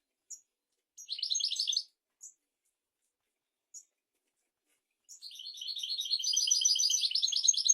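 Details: European goldfinch song, for tutoring goldfinches and canaries: a short trilled burst and a few isolated chips separated by silence, then a long, increasingly loud, fast twittering trill.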